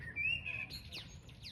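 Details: Unidentified bird singing outdoors at sunset: a clear whistled note rising slightly and held, followed by quick descending high chirps, over a steady low rumble.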